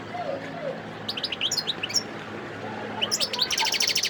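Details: Wild goldfinch song from Sidi Bel Abbes, Algeria, recorded 17 December 2021: scattered sweet chirps, then a fast, even run of high buzzy trilled notes near the end, over faint background hiss.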